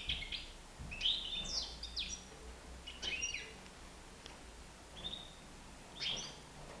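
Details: Nine-month-old European goldfinch loose in a living room gives scattered short chirps and quick twittered phrases, with gaps of a second or so between them against quiet room noise.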